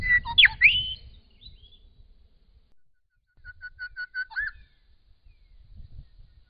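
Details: Grey shrike-thrush in Australia singing in spring: a loud, rich whistled phrase with sharp up-and-down slurs, then after a pause a quieter run of short repeated notes ending in a downward slur, with low rumbling noise underneath.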